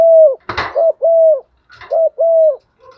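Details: Female spotted dove used as a decoy, calling in the morning to rouse and lure males: a series of hollow, low coos with arched, slightly falling notes, one short and several drawn out, plus a brief rustling clack near the start.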